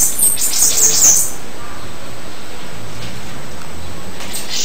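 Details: A bananaquit gives a quick, shrill, buzzy warble of about a second, followed by near silence.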